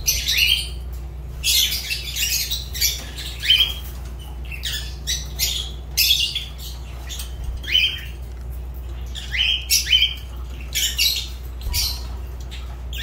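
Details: Long run of harsh, high squawks and chattering notes from a Fischer's lovebird, coming in clustered bursts every second or two above a low hum.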